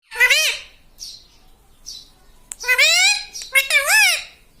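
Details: Pet talking parrot, kept indoors and said to say "mummy" and "mitthu", gives two bursts of high, harmonic, wavering speech-like mimicry, with quiet gaps and a few soft chirps between them.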